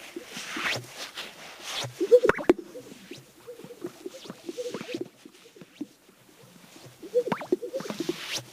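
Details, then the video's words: Several male greater sage-grouse strut-displaying to court females on a lek near Hudson, Wyoming, USA, in spring: soft swishes then paired hollow bubbling pops, the "burps" made as air moves in or out of their vocal sacs. "Greater sage-grouse strut display"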